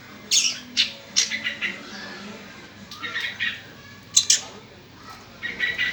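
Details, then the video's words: Young long-tailed shrike uttering scattered harsh, scratchy squawks and buzzy chatter in separate bursts of one to three notes, with pauses between them, in a quiet setting. "burung cendet muda"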